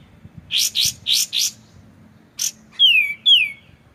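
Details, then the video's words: White-shouldered triller training song with gaps: four coarse buzzy notes, a short rasp, then two loud whistles sliding steeply downward, against faint water sounds. "MASTERAN kapas tembak suara jernih dengan jeda terapi gemercik air"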